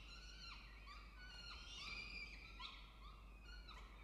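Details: A peregrine falcon at a nest box gives thin, whining calls that slur downward, about two each second, rough-edged and ringing, over a steady low electrical hum.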